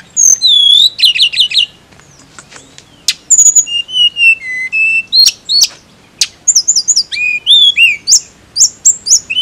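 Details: Tledekan, a blue flycatcher, delivering a lively continuous song of looping high whistles, buzzy trilled runs and steady level notes, phrases following each other closely with brief gaps.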